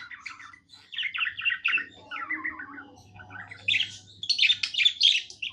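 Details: Happy pet budgerigar singing: rapid chattering warble of scratchy chirps and squeaky notes in bursts, with short pauses between phrases and a faint low hum underneath.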